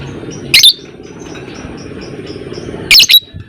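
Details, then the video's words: Fighter lovebird giving two brief, sharp, high-pitched chirps about two seconds apart over a steady low hum. "Burung lovebird FIGHTER Ngekek panjang"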